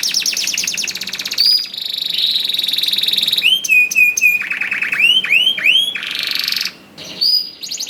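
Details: Canary in full song, offered as a lure to get quiet canaries singing: buzzy rapid trills, a steady whistled tone, then a series of rising swept notes and sharp high chips, varied phrases following one another quickly.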